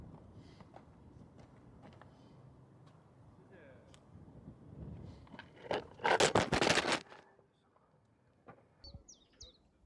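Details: A common pheasant on Arthur's Seat, Edinburgh, on a sunny April spring morning around 10:30, gives a loud, harsh, broad rattling call lasting about a second over a muffled outdoor background and a few faint chirps.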